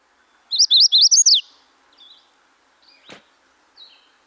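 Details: Recorded Magnolia Warbler song used in a warbler ID quiz: a rapid series of six rising-and-falling sweet notes, the last dropping sharply, then faint distant chips and a single click.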